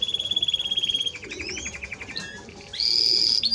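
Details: Timbrado Español canary song: a fast pulsed rolling trill, then a string of repeated notes, a short pause and a long steady high whistled tone.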